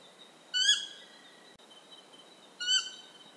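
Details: A Stygian owl in Ecuador gives two harsh, nasal, slightly falling notes about two seconds apart, over a steady high insect-like hum.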